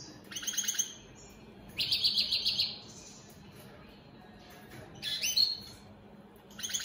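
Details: European goldfinch, an opal split satiné mutation kept in captivity, sings short bursts of fast rattling buzzy trills and sharp high notes, each burst followed by about a second of near silence.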